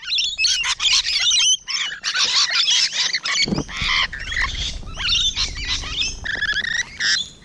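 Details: Rainbow Lorikeets at close range, recorded on a June 2017 morning: dense, overlapping harsh screeches and chattering squawks from several birds, with brief gaps and a low thump near the middle.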